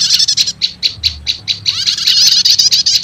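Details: Lure sound pairing prenjak lumut with prenjak setater prinias, meant to draw in wild prenjak lumut: opening chatter, then evenly spaced piercing chips roughly every fifth of a second, ending in continuous high trilling.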